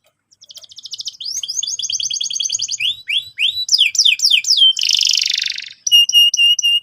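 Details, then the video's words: Singing canary, played to coax another bird into song: a rising rolled trill, a chain of quick down-swept whistles, a rasping buzzy burst, then evenly spaced pure piping notes. "PANCINGAN BURUNG KENARI GACOR"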